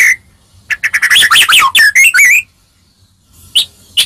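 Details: White-rumped shama in melodious song used to get other shamas to answer: one whistle, then a fast tumbling phrase of rising and falling warbled notes lasting almost two seconds, followed by quiet and two short notes.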